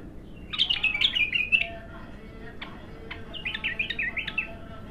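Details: Raw bulbul in first song: a hurried phrase of slurred, falling whistles, a few faint clicks, then a second, quieter zigzag run of quick, looping notes.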